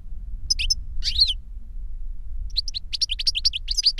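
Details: European goldfinch reclamo song, master bird and CD-taught novice; scattered high chirps and one buzzy note, a short lull, then a quickening stream of bright twittering, low hum underneath.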